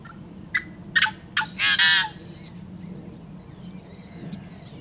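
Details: A yellow-headed blackbird in summer wetland habitat gives a few sharp, clucking notes, then a harsh, grating buzz like a rusty hinge, about half a second long, over a low hum. Yellow-headed blackbird.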